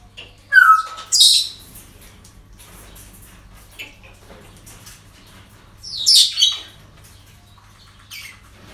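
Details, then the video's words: Parrots at a breeding centre on an ordinary day: harsh broadband squawks at about half a second and again near six seconds, with a short whistled note early on and softer chatter between, over a low steady hum. "Relajación Loros En El Centro De Cría"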